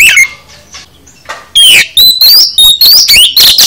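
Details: Oriental magpie-robin singing its full song for caged-bird training: a quiet lead-in, then energetic repeated whistled sweeps and scratchy notes in a fast series.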